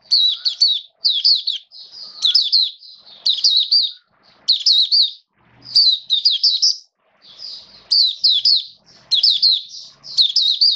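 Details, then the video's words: Caged Oriental white-eye (mata puteh), a hobby songbird kept on a diet adjusted for wet rainy weather, recorded 29 September 2022, singing bursts of high, rapid twittering phrases about once a second with short pauses between. "Mata Puteh Buka Sing Raja"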